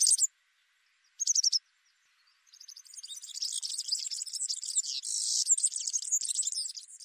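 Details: Male Atlantic canary opening with two short high trills, then breaking into a long, continuous, busy twittering song of rolls and buzzy notes that builds in loudness.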